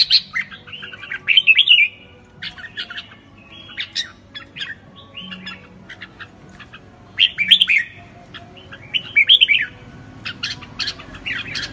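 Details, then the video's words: Classic "ché" style singing from a red-whiskered bulbul: bursts of rich, fluty warbled phrases about every two to three seconds, broken by short clicks and pauses, with a faint low hum behind. "Chào mào hót ché kinh điển"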